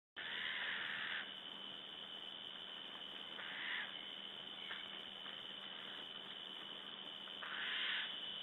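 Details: Eurasian jay in Latvia on 27 August 2012 at 7:48 gives three harsh, rasping screeches, at the start, middle and end, over a steady high-pitched hiss.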